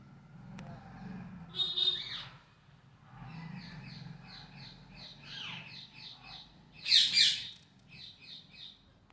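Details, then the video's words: Parrot at play, recorded August 26, 2023: scattered harsh screeches and a string of quick high chattering notes, with a loud burst of screeching near the end over a faint low hum. "Natural sound of parrot"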